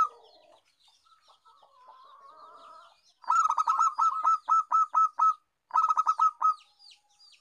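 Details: A zebra dove gives bursts of rapid, staccato, loud, slightly nasal cooing notes in quick runs, a champion lure recording meant to prompt reluctant doves to call.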